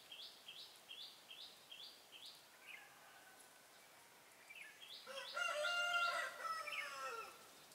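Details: Red-whiskered bulbul used as a decoy during trapping on 14 June 2018 sings a challenge: a loud, rich, rolling warbled phrase near the end, after a steady series of high, repeated two-step notes from another bird.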